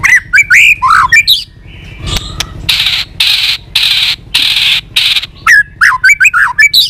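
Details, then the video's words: White-rumped shama giving continuous tach calls, used to stimulate weak-spirited birds: varied rising and falling whistled phrases, then a run of harsh broadband tach bursts, then more quick whistles. "Chòe lửa tạch liên tục"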